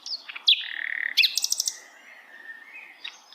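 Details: A flycatcher (Sikatan Londo) singing in wild forest: bright, high song of sweet whistles slurring downward, a brief fluttering trill, then a quick burst of sharp ticking notes.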